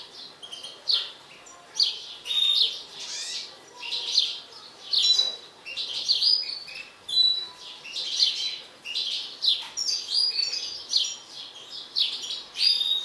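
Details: Mutant goldfinch, described as agitated, pours out a long continuous high-pitched twittering song of quick chirps, liquid trills and brief pure whistles, phrases rising and falling in loudness.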